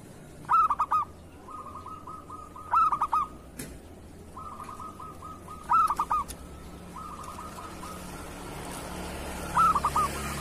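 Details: Local zebra dove, a tutor recording for training other doves and stimulating lazy or moulting birds to sing: four loud clipped whistled phrases, each trailing into a long even rolling trill, with softer trilled phrases between them.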